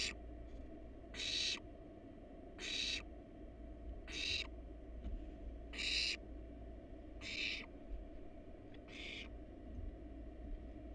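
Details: Wild barn owl family at a monitored nest box, both adults resting on the box with nestlings inside; harsh, breathy hissing screeches about half a second long, repeated roughly every one and a half seconds over a steady low hum.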